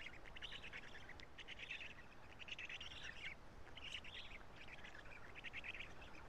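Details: Nestling Black storks at Karula, 3 June 2017 at 11:35, as the male parent feeds them. Scratchy, rasping calls in irregular short bursts, some with thin squeaky edges.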